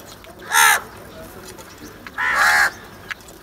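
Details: Crow calling while crows fight over food: two loud, harsh, raspy caws about two seconds apart, the second longer and drawn out, with faint background noise between them.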